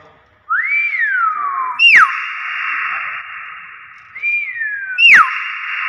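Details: Hill myna from Borneo giving loud, clear natural whistles: a rising then slowly falling slurred note followed by a sharp downward-swooping whistle, the pattern repeated twice over a steady hissing background band.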